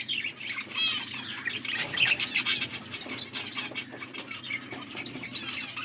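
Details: Budgerigars, blue birds feeding each other, with softer continuous twittering chatter and scattered sharp chirps.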